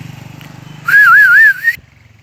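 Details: In a highland H'Mong village, a crested bird gives a single clear whistled phrase, wobbling smoothly up and down for under a second, over a steady low rumble.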